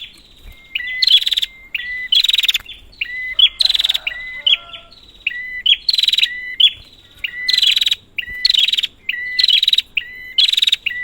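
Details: Prinia calling as a lure for silent birds: sharp buzzy chattering bursts alternate with thin, flat whistled notes, a steady back-and-forth pattern roughly once a second with brief gaps between.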